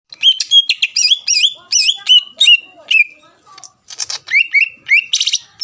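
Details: Greater green leafbird singing to provoke rival leafbirds: a fast run of bright, whistled notes, each with a sharp rising flick, then buzzier, harsher chattering phrases near the end.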